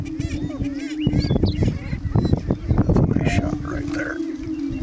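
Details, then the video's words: Greater prairie-chickens on the morning of 11 April 2016 give a steady, low, hollow moaning drone during their dance display, under a flurry of sharp cackles, whoops and clucks from several birds at once. "Greater Prairie Chicken Dance"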